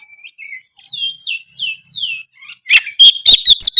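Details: White-rumped shama song for making other shamas respond: a row of soft downslurred whistles repeated about every half second, then loud fast clicks and bright whistled notes.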